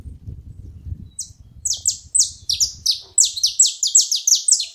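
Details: After a second of low rumbling, several saffron finches break into quick, sharp, downward-slurred chirps that grow denser and more overlapping toward the end.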